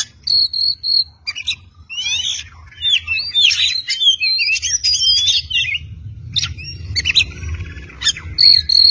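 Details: Oriental magpie-robin song for tutoring: a held whistle repeated in short bursts, then fast tangled warbling and slurred notes, sharp chips, and the held whistle again; soft low rumble in the background.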